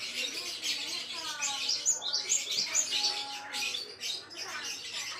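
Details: Gelatik wingko (Java sparrow) song meant for training other songbirds: high twittering with sharp bright notes, a short falling series of lower tones, and a brief level whistle mid-clip.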